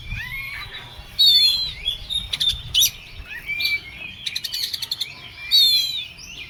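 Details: Agitated, excited song of an Oriental magpie-robin, a bird kept by hobbyists: rapid whistled phrases and sharp chirps in quick bursts, with several loud buzzy rattling notes mixed in among the whistles.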